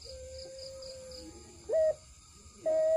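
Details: Puter pelung dove singing: a faint, level drawn-out coo, then two short, loud, clear notes about a second apart, with low background hum.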